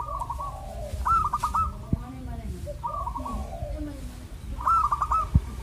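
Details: Zebra dove song for prompting doves to sing, with stuttering trilled coo phrases repeated over a constant low rumble and occasional clicks.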